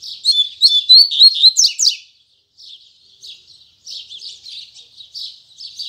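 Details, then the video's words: Double-collared seedeater delivering its 'tui tui zel zel' song firmly in the morning. There are about two seconds of loud, quick whistled and buzzy notes, a brief gap, and then quieter chattering twitters. "Coleiro Braddock Abrindo Canto Tui Tui Zel Zel Firme Pela Manhã!!!"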